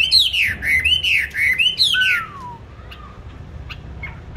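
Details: Songbird kept in a cage, bought 19 May 2020, gives four arching whistled notes in a row, then a sweeping descending whistle; afterwards only faint clicks and room hum remain.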